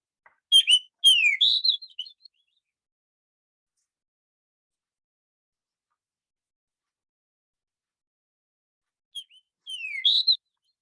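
A Fox Sparrow sings two short bursts of rich, sweet whistles, slurred up and down, about eight seconds apart with silence between.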